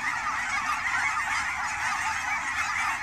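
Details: Fall-migrating Canada geese gathered at Fern Hill Wildlife Area in Oregon's Willamette Valley: a short burst of massed honking, loud and even, many voices blending into one continuous chorus.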